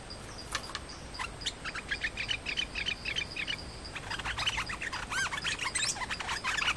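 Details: Thai songbird known as nok dok taeng, a visiting male clashing with the territory's resident male rather than singing: rapid, uneven volleys of sharp chips and short looping whistles that grow louder and denser in the second half.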